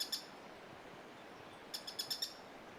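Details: Cloud-forest Streak-backed Treehunter at San Gerardo de Dota, Costa Rica, summer 2017, calling from roadside undergrowth: a couple of crisp high notes, then a quick run of five sharp, dry ticks over soft background hiss.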